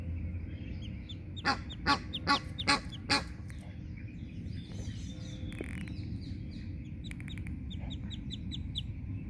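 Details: Egyptian goose guarding two goslings at the edge of a small pond in a park in Wiesbaden, Germany, scolding the person filming: five loud harsh honking calls in quick succession, then traffic hum and faint small-bird chirps.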